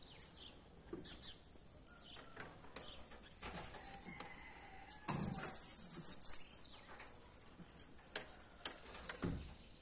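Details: Bananaquit performing the "O Louco" song style: a single brief, very high, glittering buzzy burst of about a second, after a quiet stretch of faint clicks and rustles, with a constant thin whine throughout.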